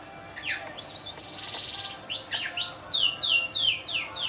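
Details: Yorkshire canary, a newly acquired bird in Indonesia, singing: a few swept notes, a buzzy rapid trill, then a run of quick descending whistled sweeps repeated about three times per second.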